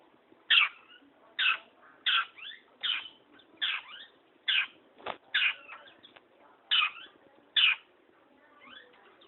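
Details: Lively long-tailed shrike song: repeated sharp, clipped notes with rising and falling tails, about one per second, mixed with softer chattering between them.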